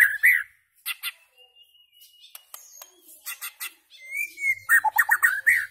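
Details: White-rumped shama singing and chirping: a varied run of whistled notes near mid pitch, a long thin high whistle, bursts of sharp clicks, then a rapid rising warbled phrase with rich twittering notes.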